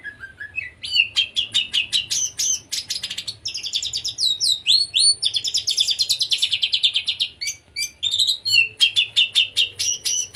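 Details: Oriental magpie-robin singing in the 'konslet' style, used to stir silent magpie-robins into song: rapid, varied phrases of sharp whistles, buzzy trills and chattering notes, swooping and stuttering almost without pause.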